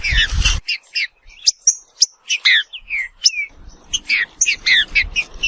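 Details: Green-winged saltator (Saltator similis) song made of short, sharp whistled notes and slurred phrases, separated by brief pauses, after an opening thump of low noise; the notes grow denser and more chattering near the end.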